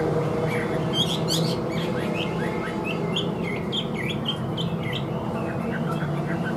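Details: Caged Chinese hwamei singing, described as singing well with an even voice: a loose series of short, sharp whistled upslurs and chirps, rather faint over a steady low hum of background noise.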